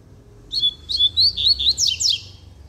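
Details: Double-collared seedeater singing firmly, opening with a long high whistle, then a string of rapid looping notes and steep downward slurs, all bright and close.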